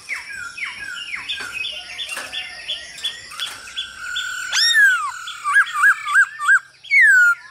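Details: Male hwamei singing in many voices alongside a female's calls, used to stimulate other birds to sing; quick descending whistled notes give way to a loud rising swoop, four looping whistled phrases and a strong clear closing whistle.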